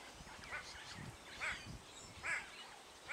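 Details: A superb starling in Tarangire National Park, Tanzania, on 25 August 2010 gives short, harsh, chattering calls about once a second, with some whistled notes, over low rumbling background noise.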